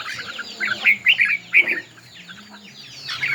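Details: Red-whiskered bulbul in a singing contest, tail fanned: bursts of bright, warbled, rolling notes clustered in the middle, quieter chirps around them and a steady faint high tone throughout.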